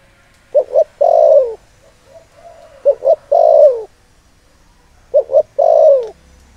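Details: Spotted dove used as a lure to stir up wild males, giving three phrases about every two and a half seconds, each made of two short clipped coos and then one long, low coo that falls at the end.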